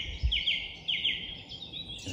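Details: Song thrush singing at dawn in Hembury woods in May 2020, its song a series of repeated little phrases; here a short bright whistled phrase given twice in quick succession, with a blackcap singing nearby and faint woodland background.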